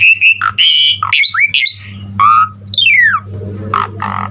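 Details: Asian pied starling singing a rich, varied song for training other starlings: warbled whistles, harsh squawks, a clear descending glide and rough chattering notes, with a persistent low hum beneath.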